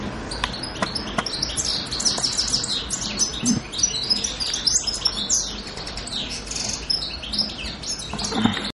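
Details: European goldfinch recorded on Pantelleria island, 2 January 2011, singing a long busy twittering song of bright chirps and trills with scattered clicks.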